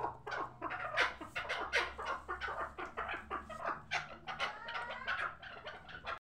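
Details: A hybrid chukar partridge, a young bird kept for fighting and hunting, gives a quick stream of raspy chuck notes with some thinner whistled tones near the end, then falls silent.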